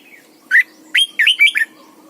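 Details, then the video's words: Red-whiskered bulbul, a caged decoy bird singing its morning song to train others: a lone whistled note, a pause, then a fast cluster of several warbling, slurred notes, clear and loud. "luyện chào mào mồi hót sáng cực hay, ép chào mào hót âm kép già rừng hay tuyệt!"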